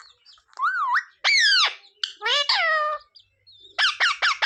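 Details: Parrot mimicking words, with clear, tonal, wavering syllables and whistles separated by short pauses, ending in four quick repeated notes; indoors with no other sounds.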